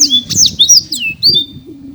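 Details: Caged champion Black-throated canary from Indonesia giving a brief phrase of a few high slurred whistles and a sweeping chirp, with a low murmur beneath.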